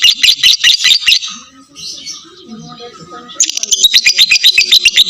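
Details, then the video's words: Lovebird giving a full ngekek trill, used as a lure to lengthen other lovebirds' singing: rapid bursts of harsh, high chattering notes, about ten per second, loud at the start and again at the end, with a quieter murmuring gap between. "SUARA LOVEBIRD NGEKEK FULL"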